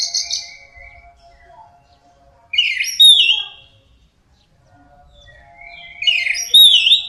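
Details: Orange-headed thrush song for luring birds into singing: high buzzy whistles and twisting slurred notes come in two bursts about three seconds apart, with a faint steady electronic tone running through the quiet stretches.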